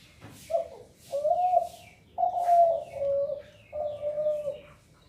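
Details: Zebra dove cooing a series of four low, mellow notes, each about a second long and slightly falling at the end, spaced roughly a second apart, with faint high rustling noises.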